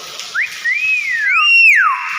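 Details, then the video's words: Hill myna whistling a run of smooth tonal notes: a short upslur, then a long rising-falling glide and a higher arching whistle that drops away, while people cheer it on and remark on the rain. "BEO GACOR SUARA ASLI"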